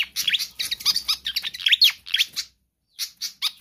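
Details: Pied fantail singing actively: sharp, high, downward-sweeping chirps and twitters delivered rapidly, then a half-second silence before a few more bright notes.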